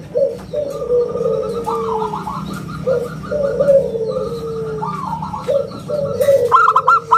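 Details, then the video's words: Perkutut lokal, a zebra dove, singing a round clear coo for luring and training other birds: a stuttering burst of notes leading into a drawn-out descending coo, repeated in steady phrases. "suara bulat kristal - perkutut lokal gacor suara istimewa buat pancingan dan masteran"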